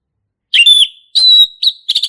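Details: Forest male orange-headed thrush in lively ngeplong song: two long steady high whistles separated by a short gap, then clipped quick notes; clean background.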